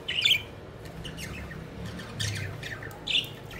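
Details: Playful pet budgies flying around; two loud harsh squawking chirps at the start and near the end, with softer scattered chirps and a low background hum between.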